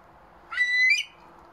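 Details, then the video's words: Himalayan monal calling: a single clear, loud whistled note about half a second long that holds steady and then rises sharply at the end. The background is quiet. "Himalayan monal calling"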